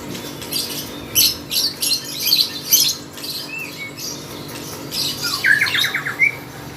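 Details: Lovebird contest song, a string of harsh noisy squawks followed by a few whistled slurs and a short rattling trill near the end, over a constant background hum.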